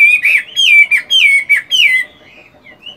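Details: Chinese hwamei in moult at morning voice practice, giving a bright series of loud, wavering whistled notes, about five phrases in two seconds, then two soft short whistles after a pause.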